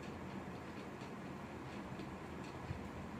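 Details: Steady broadband rumble like a moving train fills the recording, with faint ticking and no animal calls heard.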